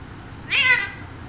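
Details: Pet Alexandrine parakeet in a home, one short, harsh, buzzy squawk lasting under half a second that rises slightly and then falls, with quiet room background.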